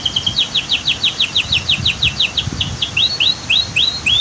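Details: Evenly repeated high descending notes from a canary, roughly four a second, turning into rising upslurred phrases near the end; water from a waterfall and dam rumbles beneath this masteran training song.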